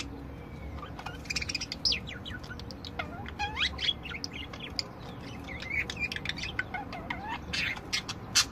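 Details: Budgerigars of various kinds warbling, a steady mix of quick whistled slides, downward sweeps and dry clicks at moderate volume, with a sharp note at the end.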